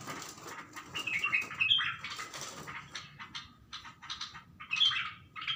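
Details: Bulbul facing its mirror image, calling in short excited chirps and squeaky twitters in irregular bursts, separated by brief rustles and taps, low hum underneath.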